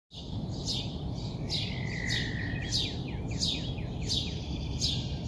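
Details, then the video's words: Early morning bird calls: bright descending chirps repeated about every half second over a steady low background hum, with a longer sliding whistle near the middle. "early morning bird call"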